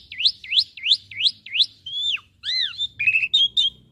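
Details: Asian pied starling song used as a master recording for young birds to learn from: five rapid rising whistled notes in a row, then sliding, falling whistles and short varied chirps.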